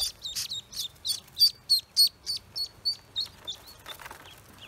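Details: Pekin ducklings just out of the egg on a farm call in loud high-pitched peeps, around fourteen short falling chirps at a brisk pace, growing fainter and more scattered toward the end.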